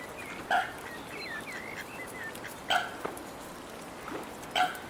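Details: Seagulls competing fiercely for food offered to them by people: loud, harsh, nasal calls with a clear harmonic stack, given in separate bursts about two seconds apart, with fainter calls and background hiss between them.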